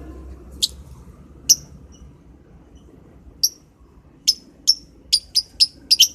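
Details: Lovebird in the morning, giving thin, sharp high chirps, scattered at first then quickening into a series of about eight clipped notes near the end, over a soft low background hum.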